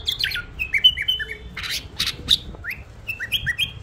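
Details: Tame bulbul giving short whistled phrases, some sliding down and others rising, broken by sharp clicking and tapping noises between the notes.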